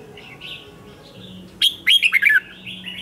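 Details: Captive red-whiskered bulbul from Vietnam delivering morning training song in the 'ché' contest style. Soft warbles give way to one loud, quick descending phrase of sharp whistled notes, then quieter song resumes.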